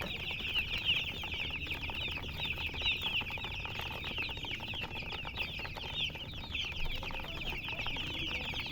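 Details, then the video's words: Colored chickens giving a dense, continuous chorus of high, thin chirps, many birds peeping over each other with no pauses, over a low steady background hum. "silly chicken chirping sounds"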